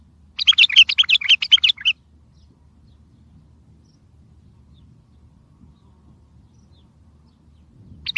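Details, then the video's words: Bulbul song played so that other bulbuls answer and can be trapped: a dense phrase of fast, liquid warbling notes lasting over a second, followed by quiet low background rumble and a final note starting. "اصوات بلابل تغريد بلبل قوي ينطق الاخرس كذلك للصيد البلابل الاخرى يجيب البلابل البعيده"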